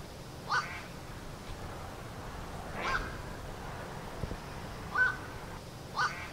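A black-crowned night heron gives four short, harsh, croaking 'quok' barks, spaced irregularly a second or two apart, over a low background rumble.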